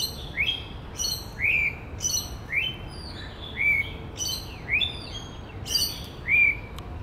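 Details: A male white-rumped shama sings in woodland, imitating other birds: quick rising whistles about twice per second alternate with crisp, high, clicky bursts, forming a lively, varied phrase.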